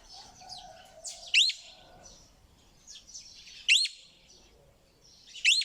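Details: Parrot calls: three loud, harsh, upward-sweeping squawks roughly every two seconds, set against a steady wash of high chirping from other birds.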